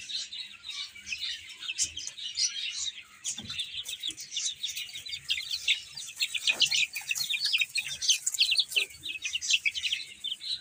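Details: Baby chickens, many chicks together, eating and playing; a dense, continuous chorus of short, high, sharp peeps overlapping without pause, with a few faint low thumps beneath.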